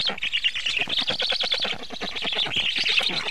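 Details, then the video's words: During feeding at a black stork nest, 24 June 2017: unbroken hoarse rattling of rapid pulses, harsh and buzzy, steady in loudness throughout. "Must-toonekurg / fekete gólya 2017.06.24. 19:52 etetés"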